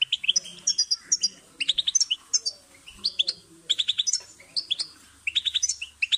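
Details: Goldfinch song for bird stimulation, bursts of bright chirps and jingling trills tumbling rapidly, pausing briefly between phrases, over a faint hum.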